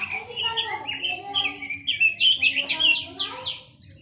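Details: Chinese hwamei song: flowing, melodious warbles that slide up and down, then a burst of six loud repeated upslurred notes before fading out.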